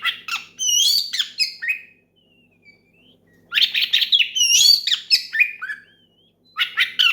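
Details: Rival-calling ngeplong song of an oriental magpie-robin, sung loudly to set off other magpie-robins. Fast, dense phrases of clear whistles, upslurs and raspy notes surround a thin, wavering whistled interlude.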